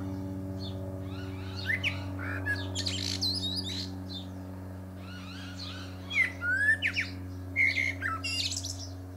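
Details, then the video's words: Male Common Blackbird singing atop a pear tree: mellow fluted warbles around two kilogram-low pitch rising and falling, followed by high squeaky twitters, two phrases separated by a short pause, over a steady low droning hum. "Blackbird Singing"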